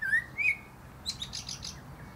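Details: A Common blackbird perched on top of a plum tree gives two clear, slightly rising whistles, then a rapid burst of high, squeaky twittering notes fading out.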